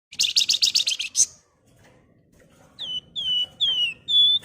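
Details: Javan fulvetta singing a lure and tutor song for other cage birds, sharp "nyiul nyuling" style. A rapid buzzy chattering burst is followed by a pause, then four clear whistled notes, each dropping slightly in pitch.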